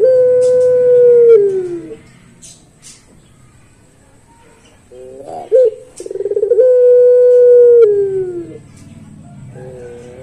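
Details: Puter pelung, a Barbary dove, with a long drooping hoot, a few seconds of near silence, then a burbling pulsed roll and another long, steady hoot that falls at its end.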